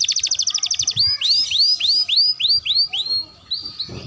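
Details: Practice song of a young canary: a rapid buzzy trill, then a series of loud, rising-and-falling whistled slurs about four per second, fading into softer notes.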